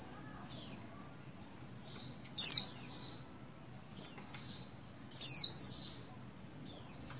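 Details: Oriental white-eye, buxtoni, female in breeding condition calling to the male. Single or doubled high downslurred chirps come about every one to one and a half seconds, a few fainter notes between them.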